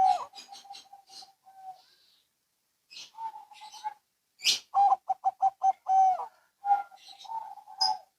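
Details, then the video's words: Zebra doves, local and Bangkok birds, trading calls: a quieter passage of soft coos and a run of evenly spaced cooing pulses, with a few higher chirps and faint rustling. "Perkutut Lokal & Bangkok Bunyi Saling Bersahutan"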